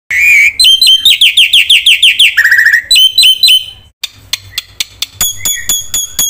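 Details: Black-winged myna in full, continuous 'gacor full isian' song, used as a lure and tutor for birds that have stopped singing: a rising whistle, then rapid repeated high chirps, a buzzy trill, a short gap and sharp clicking notes.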